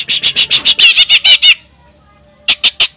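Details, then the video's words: Greater green leafbird singing lively with cililin-style content: a rapid string of about ten loud, harsh, buzzy notes over one and a half seconds, a pause, then three more. "CUCAK IJO GACOR ISIAN CILILIN"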